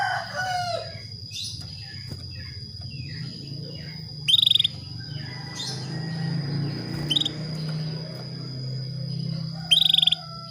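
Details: ['Female canary calling a male toward breeding: three short, buzzy pulsed trills spaced a few seconds apart over a low rumbling background with a persistent high whine and occasional faint chirps.']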